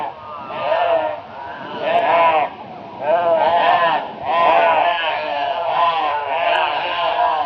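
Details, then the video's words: Flock of crows mobbing a barn owl near Brisbane, Australia, on 22 February 2022, giving loud raucous calls: drawn-out nasal, harmonic caws, about five rising-falling bursts separated by brief pauses. "Crow Reacts to Barn Owl with High Volume Raucous Noise"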